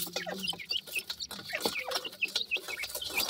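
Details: Teetar chicks (francolin) peeping together: sharp, high, quick chips and brief whistles, repeated several times a second by many birds, plus a faint low hum and scattered knocks.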